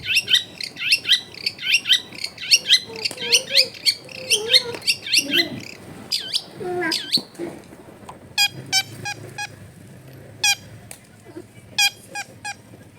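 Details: Long-tailed shrike in lively song, used to prompt a lazy bird to sing, recorded at home in a crowded neighbourhood: rapid high chattering phrases of sharp, sweeping notes, then spaced bursts of clipped, buzzy high notes. A faint low hum underneath.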